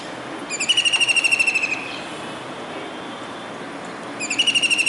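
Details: Kingfisher on a rooftop dish antenna in Surat, Gujarat, calling on a rainy day in July 2019. A clear, fast, shrill trill lasts about a second, then after a pause with faint traffic noise another trill begins.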